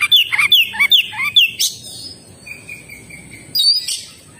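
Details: Oriental magpie-robin (kacer), 'gacor' singing: a fast string of sweet whistled notes dropping in pitch, a sharp high note, a thin sustained whistle, then one more bright note near the end, with faint hum behind.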